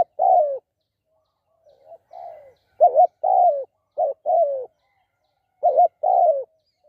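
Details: Spotted dove kept as a decoy for trapping, giving mellow low coos in pairs, a clipped double note leading into a longer sliding coo, interrupted once by a soft, quieter phrase.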